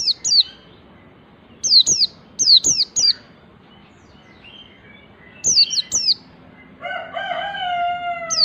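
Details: Wild-type white-eye learning a rapid 'nembak' song, meant to spur other white-eyes into song: sharp, high, steeply falling chirps in bursts of two to four, then a lower, drawn-out harmonic call at the end.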